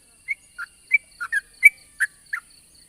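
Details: Yellow-vented bulbul, long rolling morning song used as a lure for untamed birds: softer, sparse gurgled notes, single and paired, alternating higher and lower, roughly every third of a second.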